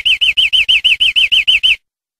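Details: European greenfinch, recorded as clean tutor song for training captive birds: a steady series of eleven quick, arched, ringing notes lasting under two seconds, then quiet.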